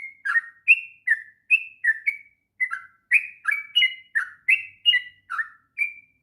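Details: Long continuous 'ngropel' song of a sooty-headed bulbul, used to teach young birds: a steady run of mellow, slurred whistles with some notes stepping up and others dropping, delivered almost three each second in a clean recording.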